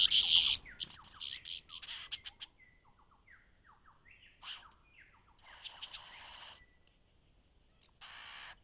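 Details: Lyrebird in Cape Liptrap Coastal Park: a loud harsh burst opening a mix of rasping chatter, short slurred whistles and buzzy phrases, over a faint background hiss.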